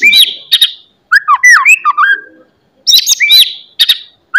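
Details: Morning song of a White-rumped shama, meant to spur other shamas to sing and fight; sharp high chirps alternate with looping, slurred whistles and quick bursts of varied notes, loud and clear, with brief pauses between phrases.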